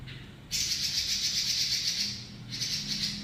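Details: Robin in a long rolling trill, ngeroll panjang: after a half-second of quiet, a sharp high rattling buzz starts and runs on, briefly dipping before resuming; soft low rumble behind.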